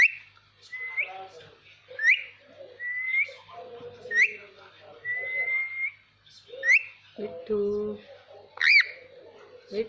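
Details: A ringneck parakeet alternates short rising chirps and drawn-out steady whistles in a loose repeating pattern, then ends with a harsh layered squawk and a loud upswept cry.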